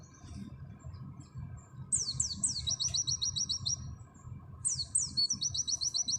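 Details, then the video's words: Oriental white-eye training song: three sharp descending slurs followed by a rapid high trill, the whole phrase repeated twice, with faint chips between and low background noise. "Masteran full materi burung pleci nembak sejalur Pleci auri"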